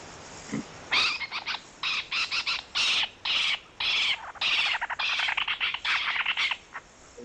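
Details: Spotted owlet (Athene brama) call: a harsh, screechy chatter, a rapid run of high, scratchy chirrups in uneven bursts, about two per second, with a quiet hiss behind.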